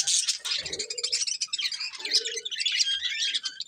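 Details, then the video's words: Colourful budgerigars, a breeding pair, keep up a continuous stream of bright, scratchy chirps and warbled twitters, rapid and overlapping, with a few lower squeaky notes mixed in. "Colourful Budgies Chirping Sounds"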